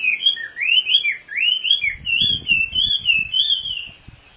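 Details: Oriental magpie-robin (wambi) delivering smooth rising and falling whistles in a wavy, continuous phrase, with a steady low clicking or tapping sound underneath in the second half.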